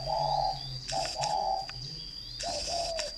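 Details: Fighting-type spotted dove in Ba Vì, Hanoi, northern Vietnam, giving three deep two-part coos with a short opening note and a drawn-out second note, mixed with sharp knocks and clicks and a constant high-pitched tone.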